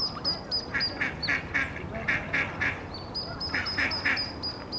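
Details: Mother duck and her ducklings at Iffley Lock on the Thames in Oxford. High peeps repeat rapidly against a run of lower, harsher calls in the middle, then the peeping picks up again.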